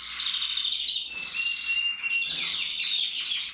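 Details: A male red mosaic agate canary sings a continuous, high, bright warble of rapid trills and sustained whistled notes, with no other sounds.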